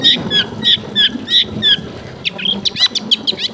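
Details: Long-tailed shrike kept in a densely populated housing area, used as a warm-up to get a silent bird singing again: harsh chattering notes repeated about three per second, then quicker, more varied rasping phrases, with faint background noise.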